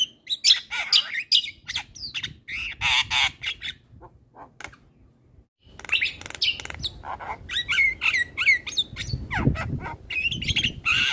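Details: Javan myna in vigorous song, meant as therapy for birds that have stopped singing; dense harsh rasps and whistled squeaks, a near-silent pause midway, then renewed busy chatter with bright slurred whistles.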